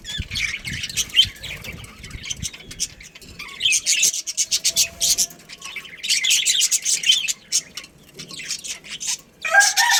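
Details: Budgerigars of a breeding colony chatter in long, dense runs of scratchy, squeaky warbling, broken by short lulls. A thin whistled note briefly cuts through the middle.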